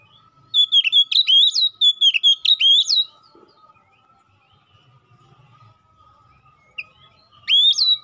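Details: Oriental magpie-robin in loud, constant song, calling a rival, used to make other magpie-robins sing: a three-second run of sharp, bent whistles, then a long pause with a faint steady tone, then the song resumes.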